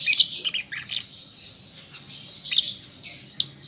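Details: {'caption': 'A juvenile lovebird practising song opens with a cluster of shrill squawky chirps. A quieter pause follows, then a few isolated sharp high notes.'}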